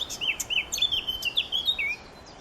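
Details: A Eurasian blackcap, a summer visitor, sings on Dorset heathland: a quick, rich two-second run of varied warbled notes with a few thin, high squeaky phrases over quiet outdoor background.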